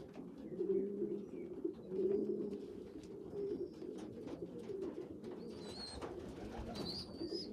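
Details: Young pigeons, a small weak one feeding stronger, well-developed youngsters; murmuring overlapping coos, a few louder rising swells early, later thin high whistled peeps.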